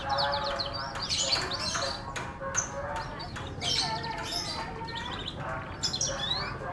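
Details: Melodious F1 canary song in bursts of bright chirps and twittering high notes, separated by short pauses, with sharp clicks and some faint voices behind.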